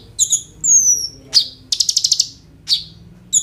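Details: Kolibri ninja sunbird used to make other birds sing, recorded on a phone: paired high chirps, a thin whistle gliding downward, then a rapid rattling trill of about seven notes and scattered chips.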